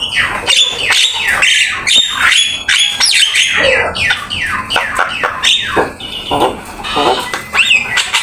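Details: Black-winged myna song used to train other birds: a loud, continuous run of downslurred whistles, scratchy rasps and chattering notes, closely recorded.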